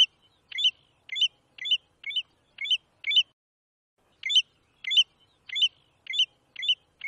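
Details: Batuiruçu, or American golden plover, a bird of Brazil: a run of six bright clipped notes, a short gap, then six more of the same harmonic chirps at a brisk, regular pace, in silence.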